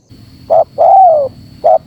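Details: Spotted dove calling on a bird-luring recording: a short coo, a long, slightly arching coo that falls away at the end, and another short coo, all low and mellow.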